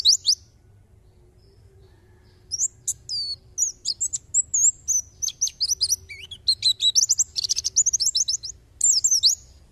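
A white-eye sings a fast, high, twittering song of sharp chips and thin whistled notes. It starts with a brief burst, then pours out in a dense run after a short pause.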